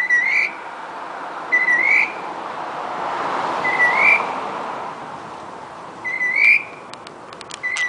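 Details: Northern mockingbird singing around midnight to 1 AM in Medford, Massachusetts: clear whistled notes that rise at the end, repeated about every two seconds, over a steady broad hiss of night noise.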